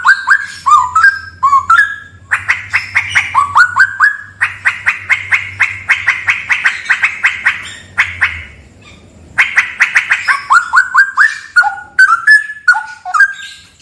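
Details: Straw-headed bulbul song from a cave said to be haunted: warbling, slurred whistles, then long fast trains of clear repeated notes, a short quiet gap, and more rapid bursts ending in bubbling descending phrases.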